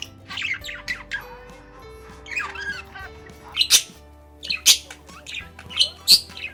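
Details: A pet budgerigar sings its characteristic happy, excited warble, a busy, scratchy chatter of high squeaks, clicks and squawky notes, uneven in pace, over soft background music.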